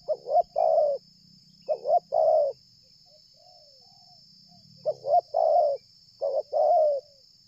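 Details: Spotted dove cooing strongly without stopping as it approaches from far away, used for luring: four phrases, each two quick rising notes followed by a longer level coo, separated by pauses, over a faint steady high whine.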